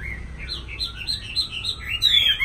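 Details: Short burst of black laughingthrush 'lai dai' song from caged birds in Hanoi, Vietnam: high, quick bubbling whistles in a rippling string, ending with a sharper rising note, low hum beneath.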